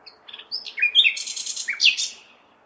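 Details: Nightingale song on a May night, recorded in a big city: a varied, fast phrase of sharp chirps, whistles and dense rattling trills, with a steady low city murmur underneath.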